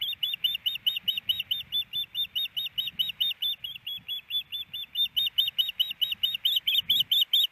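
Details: Female osprey at a nest in Hellgate Canyon, Missoula, Montana, April 28, 2019, after a snowy morning, expecting a fish from her absent mate: an unbroken run of shrill, evenly repeated piping chirps, slightly rising in intensity toward the end.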